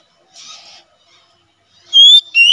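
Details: Oriental magpie-robin in 'ngeplong' singing style, for training and forest luring: a short harsh rasp, a pause, then two loud pure whistles, the second lower.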